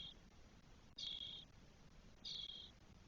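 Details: Spotless starling chicks, four nestlings 12 days old, in a nest in Spain on 1 June 2022. Two long, level, rasping hisses sound about a second apart, after the tail of an earlier one.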